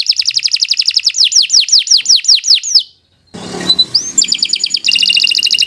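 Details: Canary singing long and vigorously, used to coax other canaries: a rapid series of high, down-slurred whistled notes, then a brief silence, a rising whistle and a dense buzzy trill.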